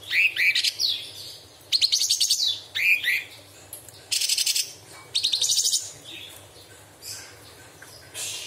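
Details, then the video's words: Cucak cungkok bulbul singing as a tutor bird, its song said to be filled with mimicry of small and large birds and insects; shrill rising whistles alternate with rapid rattling high trills in irregular bursts. "Cucak cungkok istimewa tembakan istimewa tajam beset materi full isian"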